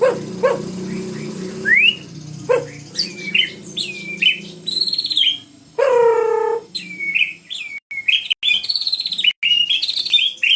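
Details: White-rumped shama in full song: varied whistles and upslurred notes, a harsh buzzy rasp midway, then fast ringing whistled phrases with short gaps, over a faint low hum.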